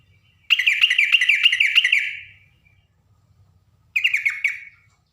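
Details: A female yellow-vented bulbul calls to a male. A long, loud run of rapid bubbly notes lasts about one and a half seconds, followed by a shorter similar burst after a pause, over a faint low hum.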